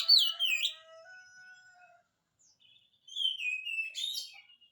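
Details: Oriental magpie-robin singing as a lure for silent birds: a bright swooping whistle, then long steady lower tones held for about a second, a short pause, and another run of clear falling and rising whistled notes.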